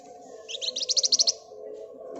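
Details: Flamboyan bird singing gacor ngebren nyerecet: a single brisk trill of roughly ten loud, high, metallic notes, starting scratchy and becoming clear and evenly spaced, then quiet hum.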